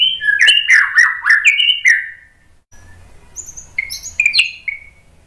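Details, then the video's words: Used to set other birds singing, this white-rumped shama song opens with rich lower whistled and warbled phrases, pauses, then adds high thin notes and short rising whistles. "TEMBAKAN MURAI BATU biar NYAUT ikug GACOR BONGKAR MATERI ¦ PANCINGAN MURAI"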